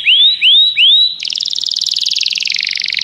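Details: Common canary giving three loud rising whistled notes followed by a dense, rapid buzzy trill.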